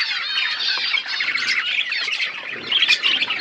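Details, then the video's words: Seed-eating budgerigars in a natural outdoor aviary: a brief burst of thick, warbled chattering from several birds, with scratchy notes and a sharper chirp near the end. "My beautiful budgies eating seeds in my natural outdoor aviary"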